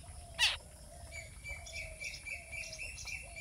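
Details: A young spiny babbler gives a single sharp, loud, noisy rasp near the start, followed by quieter background twittering, soft chirps and a long steady whistle-like tone.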